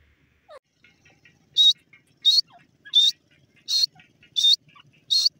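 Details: Grey francolin, called irani teetar or grey partridge, giving a loud, shrill, high-pitched call: six sharp bursts, one roughly every 0.7 seconds, with faint chirps and soft clicks between them.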